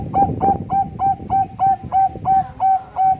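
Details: Bangkok-type perkutut (zebra dove) with competition-quality cooing, used as a lure: a fast, even series of about ten short, clear, mid-pitched coos, roughly three per second, over low background rumble.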